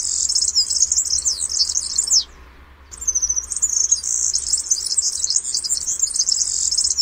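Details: European serin song: very high, fast jingling and buzzy trill of tumbling notes, broken by a short silence, then resuming as a continuous wiry twitter.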